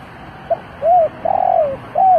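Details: A spotted dove used as a decoy to call in wild doves gives a short note then three soft, low, hooting coos, the third drawn out and falling, over faint background hiss.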